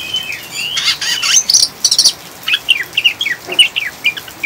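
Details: Oriental magpie-robin in the rapid chattering 'ngriwik' style, mixed with rain sounds as a lure to calm and stabilise caged birds: dense bursts of buzzy, scratchy notes and sharp high whistles tumbling over one another, with soft background hiss.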